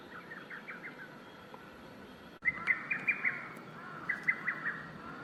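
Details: Lesser cuckoo calling outdoors: a faint run of quick whistled notes, then a louder burst of about five sharp, stacked notes and a shorter closing series, over a steady hiss of background noise.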